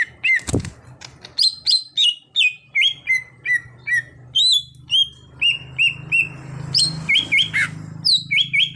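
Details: Gacor singing from a greater green leafbird (cucak hijau) that started as an untrained bird: a steady series of clear whistled notes, each bending up or down, given about twice a second with a low hum beneath.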